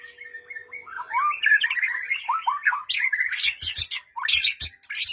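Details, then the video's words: White-rumped shama song used as a lure to get a quiet bird singing, mornings or evenings: a long varied run of rich whistled phrases sweeping between low and high notes, ending in sharp high chips and clicks. "Murai Batu Diam Dengar Kicauan ini Seketika Langsung Nyaut GACOR"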